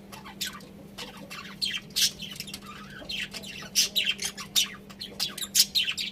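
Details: Several pet budgerigars chirping: sharp, high squeaky notes in loose bursts, busier in the second half, with a steady low hum beneath.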